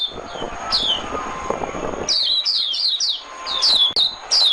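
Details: Oriental white-eye decoy song used for trapping: high thin descending whistled notes in quick bursts after two seconds, over a low murmur of background noise.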